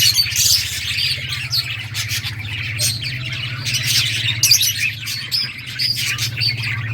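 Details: Several budgies playing and chirping: dense, overlapping high chirps and squawky warbles run continuously throughout, over a steady low mechanical hum.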